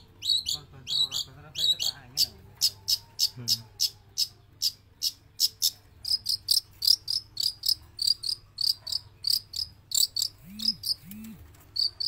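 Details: Long-tailed shrike from Java, singing non-stop both inside its cage and when let out: a long run of sharp, harsh, scratchy notes, about four per second and fairly even, with a few low soft sounds near the end.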